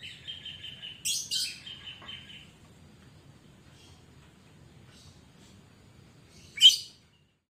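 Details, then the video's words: Sooty-headed bulbul, a lively kutilang used as a lure to prompt other birds to sing: a run of steady whistled notes broken by harsh bursts, then near silence and one sharp loud burst at the end. "Kutilang Gacor Pancingan"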